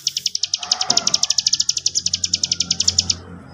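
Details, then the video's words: Sooty-headed bulbul, an actively singing bird whose song is used as a lure to provoke other birds, giving a fast, even trill of sharp high notes, about nine per second, lasting some three seconds over a faint low hum. "pancingan cigun gacor"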